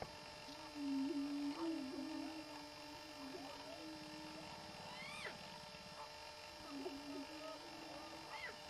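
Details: Greater prairie-chickens displaying for mating on a lek give low, hollow, moaning booms, several birds overlapping, mixed with sharp rising whoops and cackles.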